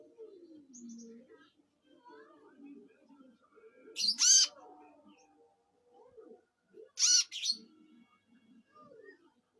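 A Van Hasselt's sunbird gives two loud, sharp, high squeaky notes about three seconds apart, over a soft murmur of distant lower chatter.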